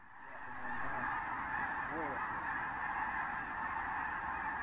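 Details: Thousands of snow geese, with other species, flocking and landing over fields of the San Joaquin River National Wildlife Refuge in January 2014: a dense, unbroken roar of overlapping nasal yelps forming a steady wall of sound, with wind noise beneath.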